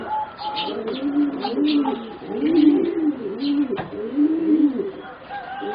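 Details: Young singing zebra doves, four birds about 3.5 to 4 months old, from a line bred for competition song. Low, rolling arched coos repeat steadily through the clip, with several phrases overlapping, and faint higher chirps sound above them.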